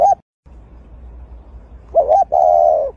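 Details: Brooding dove with its egg: a clipped note fades out, then after a pause one full coo follows, a short wavering note and then a sustained, level, mid-pitched tone, against a low hum.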